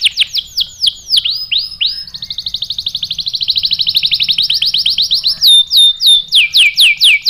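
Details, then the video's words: Canary singing, used as a lure to provoke other canaries into answering: fast, high phrases with descending sweeps, then a long rapid trill of repeated notes, ending in loud whistled downslurs about twice a second. "PANCINGAN KENARI GACOR bikin EMOSI jadi NYAUT NGEROL TAJAM | CANARY SINGING"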